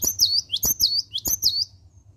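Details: Cinereous tit singing in the morning: a fast series of high, sweet, slurred whistles, each swooping down then up, repeated about five times with light clicking between.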